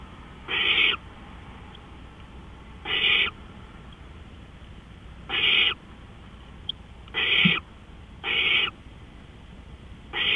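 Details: Raspy owl screeches at 3:15 AM on April 20, 2013: six short, harsh bursts over ten seconds, spaced unevenly, with a faint click in between.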